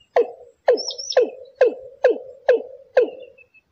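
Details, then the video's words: Watercock calling as a trapping lure, in a Thai style: seven low, resonant, downward-sliding notes evenly spaced about every half second, each fading into a brief rough tail, with a thin high whistle from another bird. "Tiếng cúm núm mồi chuẩn mới nhât , tiếng cúm mún thái chuẩn 100%"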